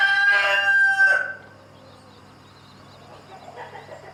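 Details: Chicken, with a rooster harassing a mother hen and her chicks: a loud, harmonic, strained crow lasting about 1.3 seconds and breaking near its end, followed by near quiet with faint soft calls.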